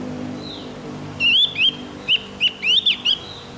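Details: Morning song of a Javan grey-throated white-eye, played to tutor caged birds: a run of about eight short, high, upslurred whistles in a lively burst, preceded by a faint descending note.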